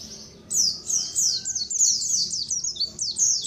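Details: White-eye colony calling, a recording used as a lure for white-eyes: high, thin chirps sliding downward, overlapping from many birds after a brief quiet start.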